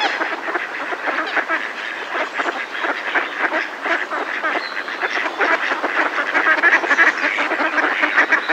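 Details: Mallard flock in a decoy giving close alarm calls; a continuous chorus of rough, nasal quacks, roughly three a second, overlapping and unbroken throughout.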